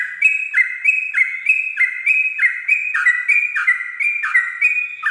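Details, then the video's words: Sooty-headed bulbul at dawn in 'ropel' singing style for tutoring: lively chain of two-tone notes, high whistle then lower warbled note, roughly one and a half per second, continuous and fairly even. "pancingan trucuk ropel subuh"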